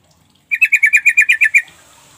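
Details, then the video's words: Sooty-headed bulbul call intended as a lure to get quiet birds responding: a quick rattle of about ten bright notes, followed by a faint high hiss. "Trucuk bahan ombyokan bakalan nyaut dengan pancingan trucuk ini"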